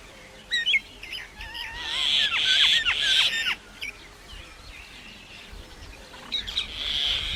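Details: Common myna making different sounds like singing: scattered whistled notes, three loud harsh buzzy bursts, a string of sharp descending notes, then a faint harsh phrase after a quiet gap.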